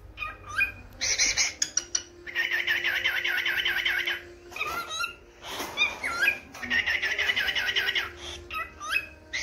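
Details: A yellow pet cockatiel's morning song: bright, chattering whistled phrases in bursts of one to two seconds, with rising notes between them and quiet room noise behind; the owner says he is calling out to the owner.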